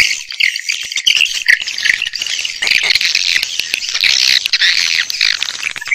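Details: Swiftlet lure sound for speakers: a steady, dense mass of high squeaky twittering from many birds, with no pauses.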